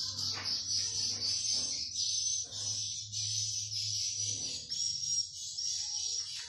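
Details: Inside a swiftlet nesting building, a crowded colony gives a dense, steady chorus of high, thin swiftlet chirps and clicks, with a low mechanical hum and a few brief thumps underneath.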